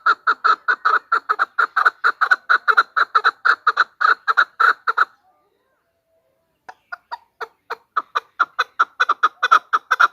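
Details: Female chukar used to lure hunted partridges, giving dense rows of loud clucking chuk notes for five seconds, then near silence with faint notes, then clucking building again.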